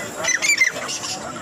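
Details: A black francolin offered for sale at a livestock and bird market on Kohat Road, Peshawar, Pakistan, gives a short series of harsh, grating, scratchy notes over about half a second, with faint market murmur behind.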